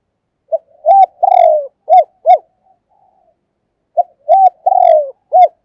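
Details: Spotted dove kept as a decoy giving its urging and calling coos: two loud phrases, each with a short note, arched coos, one long falling croon and further arched coos, separated by a quiet pause with faint soft notes.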